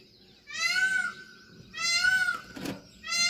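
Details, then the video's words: Indian peafowl, a peahen, calling clearly: loud nasal wailing cries with a rich ringing tone, each lasting under a second and slightly rising then falling, three cries spaced about 1.3 seconds apart over a quiet background. "Peahen bird the Indian peacock/most clear sound"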